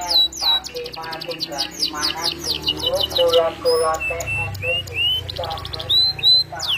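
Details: Canary singing in the gacor style with melodious cengkok phrasing: rapid rolls of repeated notes, descending whistled sweeps near the top, and lower trilled passages, varied and continuous, with some faint background noise.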